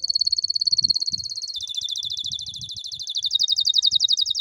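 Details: Canary singing, used to train young canaries that stay silent: a fast, ringing trill that drops a step in pitch halfway through and carries on, quick and evenly pulsed, to the end.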